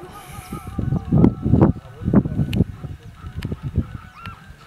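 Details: Sarus Cranes at Dhanauri Wetlands, Greater Noida, India, give loud, honking clarion trumpet notes in uneven bursts, several within a few seconds, over a low rumble with loud music from a tractor in a nearby field.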